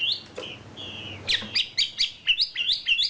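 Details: Champion wambi bird singing kicau isian (filler song): a few long whistles, then a steady sequence of quick, high, down-slurred chirps repeated several times per second.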